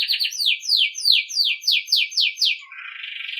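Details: Belgian canary singing to train young birds: a series of about eight loud downward-sweeping whistled notes, evenly repeated, leading into a soft fast trill.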